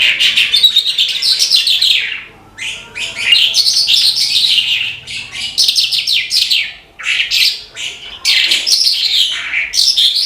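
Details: Lark in full, vigorous song: a dense, continuous stream of sharp chirps, rapid trills and sweeping slurred notes in long phrases broken by brief gaps.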